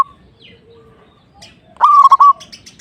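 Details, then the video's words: Zebra dove in full song, meant to provoke a rival: faint, thin background whistles, then one loud, bubbling coo phrase of quick stuttering notes ending in a short steady tone. "KICAUAN PERKUTUT GACOR|| LAWAN LANGSUNG EMOSI"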